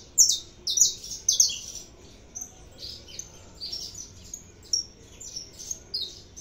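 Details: A saffron finch sings hard: three loud, piercing, clustered chirps open the phrase, followed by softer, irregular high twitters and slurred notes with short pauses between them.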